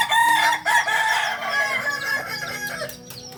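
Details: Kokok Balenggek rooster, native singing chicken of Solok, West Sumatra, on a local farm. A strong, raspy crow with layered harmonics runs almost without pause, pulsing in quick, uneven syllables, then fades slightly toward the end.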